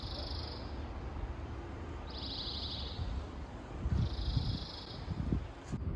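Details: European greenfinch song at a green wall where greenfinches nest, in spring, on a building in the City of London or Zurich: three long, buzzy, wheezing notes, each about a second, over steady low city-traffic rumble; 6–7 greenfinches present.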